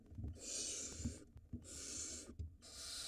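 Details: Barn owls at a nest box in Israel, 2022, as a mouse changes beaks from male to female for the nestling. Three raspy hiss bursts, each under a second long, with low knocks and shuffling in between.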